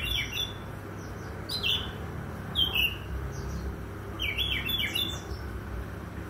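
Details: In the morning, an Oriental magpie-robin sings a lively run of chirpy, downslurred whistles in clustered bursts, some notes rising and falling quickly, with a low rumble underneath.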